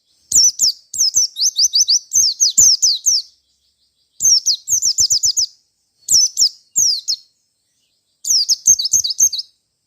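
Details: A wild Merapi white-eye sings aggressively toward a rival, delivering four dense bursts of high, twittering, downward-sweeping notes with rapid stuttered runs, each burst lasting one to two seconds.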